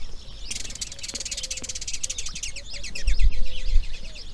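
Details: Grey heron chicks calling from the nest during the breeding season, second day of rearing: a fast, dry, ticking chatter runs for about two seconds, then breaks into scattered sharp chirps, over a faint steady hum.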